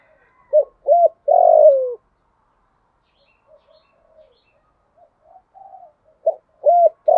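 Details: Decoy female spotted dove calling to entice males: a three-part cooing phrase ending in a long sliding coo, several seconds of near silence with soft faint notes, then the phrase starting again.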